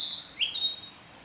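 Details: Male Narcissus flycatcher singing on 9 May 2021 along the Hinata forest road: a brief, clean, high whistle followed by a quick upward-sliding note, with a quiet background.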